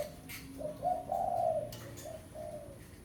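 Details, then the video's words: Spotted dove of the pesom style, a fierce lure bird calling to a rival for ground trapping: a soft, low cooing phrase that swells in the middle and trails into two gentler coos, with light clicks behind. "Suara Pikat Tekukur Pesom - Tekukur Pikat Suara Memanggil Lawan"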